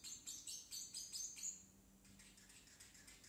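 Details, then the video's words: Baby parrotlet kept as a pet, trying out its first talking: a rapid run of thin, hissy, high syllables for about a second and a half, then fading to faint murmurs. "Parrotlet talking"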